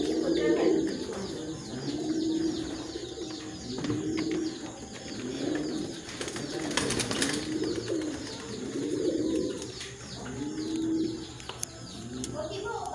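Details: Beauty Homer pigeons coo in low, rolling, repeated phrases, roughly one every two seconds.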